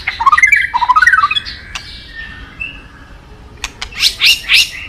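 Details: White-rumped shama, favoured by songbird fans, giving a quick run of bubbling rising notes, then a quieter pause and a few harsh, squawky bursts.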